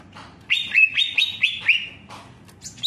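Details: Greater green leafbird song: five bright, slurred whistles, each rising then falling, given in a quick series. The bird then trails off into a softer, fading note, and a short high chirp follows near the end.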